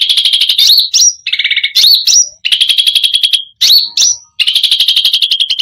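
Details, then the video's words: Energetic cucak rante song: bursts of rapid high trills alternate with slurred rising whistles and a lower buzzy rattle, separated by short silences, with nothing else audible. "Cucak Rante full isian gacor || bikin emosi burung lain"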